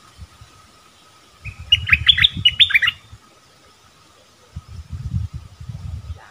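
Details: Bulbul giving one quick burst of several bright whistled notes, accompanied by low rumbling and rustling that fades and then returns later, without song.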